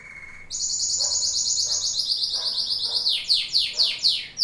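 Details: Domestic canary (Serinus canaria) singing: a brief high whistle, then a long, loud rapid trill held steady, breaking into a series of downward-sweeping whistled notes about four per second; faint low background hum.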